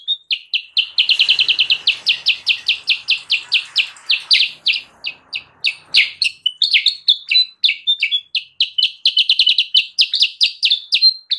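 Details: Sooty-headed bulbul, lure for wild birds: a long, lively stream of rapid bright chirps, slightly varying in pitch, with brief level whistles mixed in.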